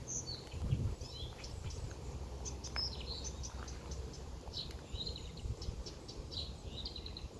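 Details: Marsh warbler singing: a rapid, varied run of short high chirps, whistled slurs and clicks scattered throughout, over a steady low rumble of background noise.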